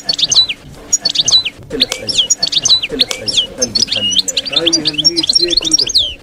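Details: Campero field song of a European goldfinch, meant for young birds to copy while moulting: fast, continuous tinkling twitter of sharp rising and falling notes, tightly packed over a steady low background hum.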